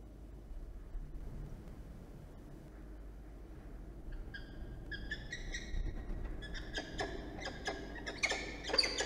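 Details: Peregrine falcon at a New South Wales nest ledge on a morning of incubating three eggs, with frequent comings and goings; four quiet seconds, then a run of harsh, ringing calls growing louder, broken by sharp scraping clicks and knocks.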